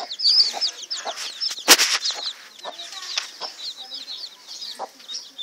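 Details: A brood of chicks peeping continuously, thin high notes falling in pitch and overlapping, with a sharp rustle or flap near the second mark and a few lower clucks.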